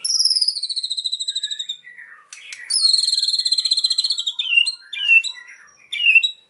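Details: White-rumped shama song with cililin imitation: a high fast trill descending gradually, a short pause with soft notes, then another long buzzy trill followed by clipped whistled flourishes.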